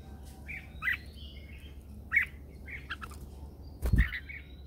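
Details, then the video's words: Red-whiskered bulbul lure bird singing in the morning, used to train birds and to call wild birds in; short warbled phrases around the middle pitch range come in quick bursts about a second apart over a low steady hum, with a thump near the end. "Luyện giọng cho chào mào hót sáng căng lửa kích chim mộc hót siêu hay, Chào mào mồi hót gọi bổi"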